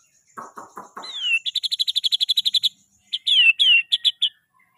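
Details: White-rumped shama song: a few low, dry clicks lead into a sliding whistle, then a fast, even trill of about a dozen bright repeated notes. Looping whistled phrases close the sequence.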